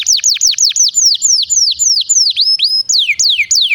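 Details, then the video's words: Canary singing to prompt other canaries to sing: quick high downslurred notes in series, slowing into longer sweeping whistles, one thin sustained tone, then widely spaced falling slides. "Pancingan Kenari gacor panjang untuk masteran kenari paud & terapi kenari macet bunyi agar gacor"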